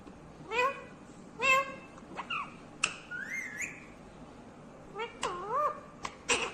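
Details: Ringneck green parrot making soft talking sounds: a few nasal syllables, a rising whistle, and wavering voice-like notes over a low background hum.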